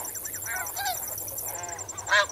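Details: Short burst from a snow goose flock in water: a few downward-curving harmonic honks, then one loud bright call near the end, all set against a constant high cricket pulse.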